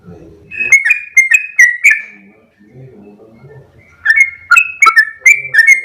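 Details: Sooty-headed bulbul in energetic long 'ropel' song: quick bursts of clear slurred whistles separated by a short pause, with faint low rumbling background noise between phrases.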